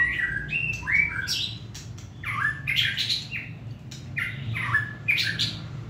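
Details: Competition-standard white-rumped shama, caged and hand-tame, sings a lively mix of whistled notes and harsher squeaky chips in quick, uneven bursts, with faint background hum.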